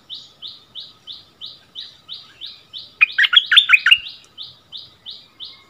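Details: Decoy bulbul and the new resident bird answering each other in a song duel: steady high, buzzy notes roughly three per second, broken at three seconds by a loud, rapid, rich warble before the repeated notes resume.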